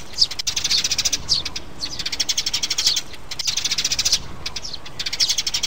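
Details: Mother sparrow and chicks on a recording played to lure birds into traps: steady, dense high chirping in rapid pulses with brief dips between bursts.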